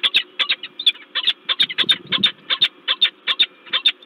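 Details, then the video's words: Peregrine falcon calling loudly, Gdańsk, Poland, 10 February 2023: harsh, clipped high calls repeated rapidly, about two to three per second in a steady run, with faint low background hum. "Sokół wędrowny LOTOS Gdańsk(PL) - rozkrzyczany Ster"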